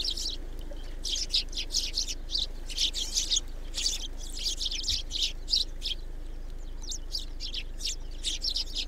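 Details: A flock of Eurasian tree sparrows in a snowy garden at a feeder in Recke, Germany, on 7 February 2021, keeps up a busy, overlapping chatter of short, bright chirps over a steady low hum.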